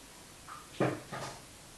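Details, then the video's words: Pet talking African grey parrot gives a brief, faint whistle, then two short, hoarse, bark-like syllables close together, in a quiet indoor room. "talking african grey parrot"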